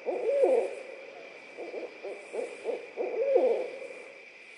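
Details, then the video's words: Barred owl pair near Suwannee River State Park, Florida, in a laughing duet: a drawn-out wavering hoot, then a string of short clipped hoots, then another wavering hoot, over a faint continuous high drone. "Barred owls laughing"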